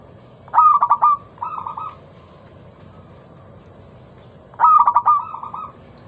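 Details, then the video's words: Crystal-clear lure song from a local zebra dove, meant to trigger singing in other doves: a staccato coo series flowing into a softer rolling phrase, repeated once after about four seconds. "Masteran pancingan burung perkutut lokal suara Lantang kristal"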